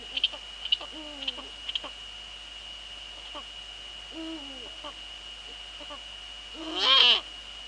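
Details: Eurasian eagle-owl pair in the Netherlands, female at the nest with the male nearby, 19:15 on 2 February 2013: several low, wavering calls, then a louder harsh, rasping call near the end, with a steady background tone.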